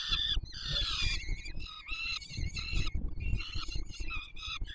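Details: Peregrine falcon nestlings fed by their father atop the Palace of Culture and Science in Warsaw on 7 July 2022; continuous harsh, strained begging wails from several chicks over steady low-frequency background noise.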